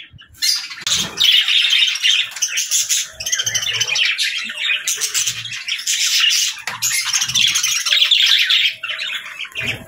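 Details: Several budgerigars chirping in the morning: dense, scratchy warbling chatter with short squawks, nearly continuous over ten seconds, with soft low thumps now and then.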